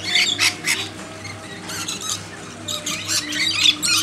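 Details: Lorikeets at a backyard hand-feeding give harsh, high screeches in dense bursts separated by short lulls, with a low hum throughout.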